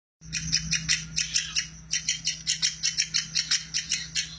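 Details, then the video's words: Woodpecker giving a fast series of sharp, high chipping notes in clusters, about two to three per second, with a steady low electrical hum underneath; recording meant as a tutor for lovebirds. "BURUNG PLATUK!! MASTERAN BURUNG LOVEBIRD."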